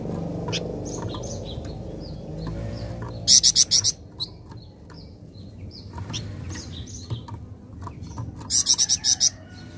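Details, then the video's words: Flameback answering after one play of a recording: two short, loud, rapid rattles of high staccato notes several seconds apart, with scattered faint chirps and whistles and a low background hum. "Sekali Putar Bahan Flamboyan Langsung Nyaut"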